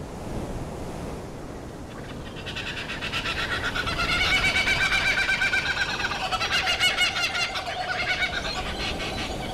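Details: Laughing kookaburra (Dacelo novaeguineae) gives a loud, raucous cackling chorus of rapid, harsh, pulsed notes that builds and rolls on for several seconds over a steady low background rumble.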